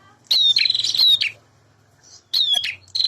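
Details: Male bar-winged prinia in full, energetic song, used to stir young birds into responding: two bursts of high, sharp chirps, each a quick run of clipped notes with a sweeping whistle, separated by a second of near-silence.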